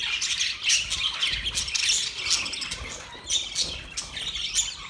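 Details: Morning chirping from budgies recorded 1 October 2023: busy, overlapping squeaky warbles and sharp chirps in bursts that swell and fade every second or so.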